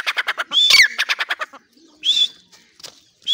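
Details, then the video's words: Grey francolin kept in a cage in Pakistan, calling at the cage door. A fast run of harsh pulsed notes surrounds one whistled, bending note, followed by short, shrill whistles after a pause. "teetar calling in door of cage"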